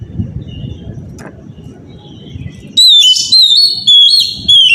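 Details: Magpie-robin lure song at morning, used to get other kacer singing: nearly three seconds of low rumbling noise, then loud, bright whistled phrases with wavering slurs in short repeated bursts.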